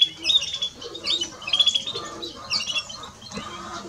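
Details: Male and female European greenfinch singing lively high chirps and twittered phrases in uneven bursts, a few clear whistled notes standing out, with light low-pitched background noise.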